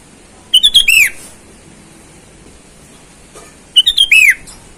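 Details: A sooty-headed bulbul in full voice, calling rivals in the wild and used as a lure for wild birds, gives two brief bubbly whistled phrases about three seconds apart. Each phrase is a quick run of rising and falling notes.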